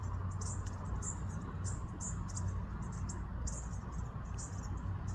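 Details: Bushtits back at a feeder in an urban setting, a flock giving rapid, thin, high-pitched twittering notes in short bursts throughout, over a steady low traffic-like rumble.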